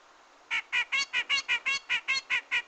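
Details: Eleven harsh, buzzy grey-cheeked bulbul notes delivered in a steady rhythm, about four per second, used as a trapping lure.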